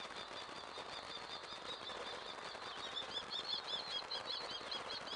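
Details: One-week-old chicks being fed, making rapid high peeping calls repeated about two or three times a second, partly buried under a loud, constant rushing noise.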